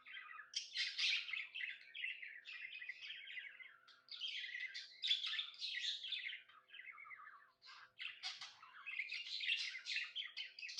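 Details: A pet budgerigar, described as happy, keeps up a long run of raspy chattering warble, bursts of scratchy high chirps broken by brief gaps, in a quiet indoor setting.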